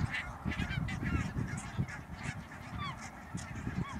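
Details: Calling flock of barnacle geese, Netherlands, 16 March 2009: sharp short yelps and barks, some with quick falling inflections, overlapping continuously above a strong low rumble.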